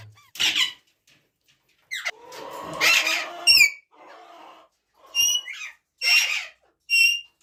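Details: ['Ringneck parrot indoors producing short, shrill screeches and squeaks in scattered bursts, some sharply rising, separated by near silence.']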